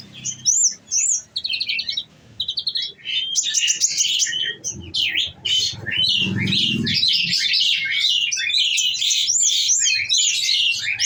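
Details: Captive olive-backed sunbird singing 'nembak' shooting bursts after nectar feeding: short trilled phrases separated by brief pauses, building into a long fast jumble of high, bright twitters.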